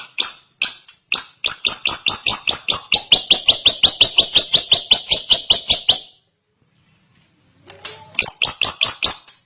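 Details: Drongo in long, active song: an extended run of rapid, evenly repeated, sharp high notes continuing for six seconds, a pause, then the same rattling series resumes.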